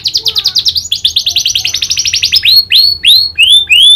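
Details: Energetic canary trained on the prinia's click call runs a fast chattering trill, then a series of loud, sharply descending whistled sweeps repeated several times.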